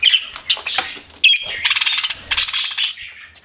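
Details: Several pet budgerigars chatter loudly with shrill chirps and buzzy, rapidly pulsed rattles, the bursts coming in quick succession with brief pauses.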